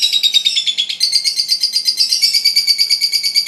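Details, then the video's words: Lovebird, fighter type, giving a long ngekek laughing call used as a lure for baby lovebirds: rapid harsh high chatter pulsing about three times a second, pitch stepping up after the first second. "Suara Pancingan Lovebird fighter ngekek panjang ampuh buat pancingan baby lovebird"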